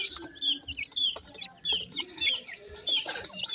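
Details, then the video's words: Dakhni teetar chicks feeding contentedly; high, thin downslurred peeps repeated roughly every half second, with faint pecking noises and a low murmur behind. "dakhni teetar chicks are happily feeding,cute pheasant babies"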